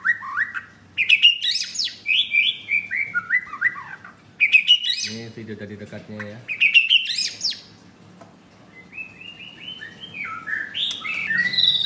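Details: Close-range recording of a caged male white-rumped shama wearing a blue leg ring at a Kemayoran, Jakarta kiosk: bursts of loud rising whistles and descending warbled runs, briefly interrupted by a man speaking, then quieter high twittering.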